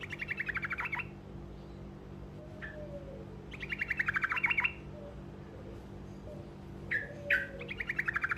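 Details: Truco giving short rolled songs meant to make other birds answer: three fast buzzy trills of rapid repeated notes, about a second each, separated by short sharp chips, over a steady low hum.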